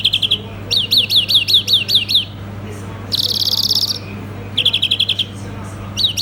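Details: European greenfinch singing: bursts of quick twittering trills of sharp chevron-shaped notes, a dense buzzy rattle in the middle, then more rapid trills; steady low electrical hum behind.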